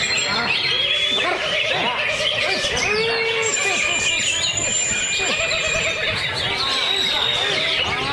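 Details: Caged greater green leafbird (cucak ijo) in a lovebird cage, singing continuously in the ngentrok style, full of filler phrases: a dense, unbroken stream of rapid chirps, slurred whistles and trills, with long thin high whistles over the top.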